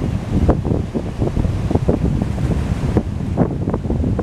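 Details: Strong wind buffets the microphone over rolling ocean surf; the low, rumbling noise holds no animal call.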